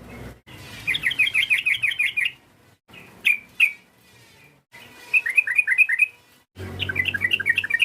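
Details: Rival-provoking calls of a sooty-headed bulbul: rapid bursts of bubbly chirped notes, then two isolated sharp notes, then further fast chattering runs separated by short pauses.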